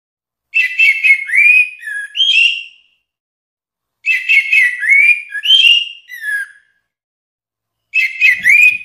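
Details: Orange-headed thrush song: rich whistled phrases with slurred, warbling notes, delivered in bursts of about two seconds separated by short silences, three phrases in all; no other sounds.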